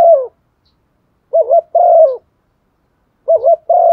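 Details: Decoy spotted dove cooing to provoke other doves into calling: low, mellow coos in short two- and three-part phrases, the first note wavering and the last drawn out and falling, with clean silence between phrases.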